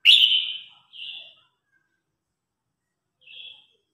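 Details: Red-whiskered bulbul in competition song, calling its flock: a loud, slurred whistle that fades, a short warbled note, then silence before one quieter whistled phrase.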